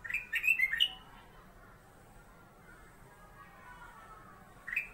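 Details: Caged black-capped bulbul, known locally as kutilang emas, used as a master songbird: a brief burst of quick, sweet whistled notes, then a long quiet gap before one more short note.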